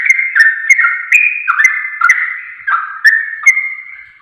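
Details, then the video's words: Lure song of a Sooty-headed bulbul meant to set other bulbuls singing: quick mellow chattering phrases, each note dropping slightly, with light clicks, fading toward the end. "Pancingan Trucuk Ampuh Nyaut Ropel Hitungan Detik"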